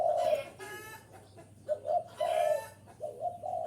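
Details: Spotted dove cooing, played to pull in wild birds: a long mellow coo, then shorter rounded notes, mixed with harsher clucking bursts from another bird in the background.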